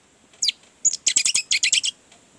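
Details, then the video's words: Orange-headed thrush song used to stimulate a bird that is reluctant to sing: one short high sweeping note, then a quick run of about ten tight chirping notes in two bursts, with a quiet background. "Pancingan anis merah, agar cepat ngeplong"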